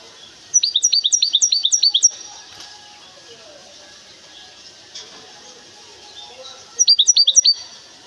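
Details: Goldfinch hybrid kept in a cage, from Temara in Morocco, gives two short bursts of rapid, sharp, dropping chirps separated by about four seconds of faint background murmur.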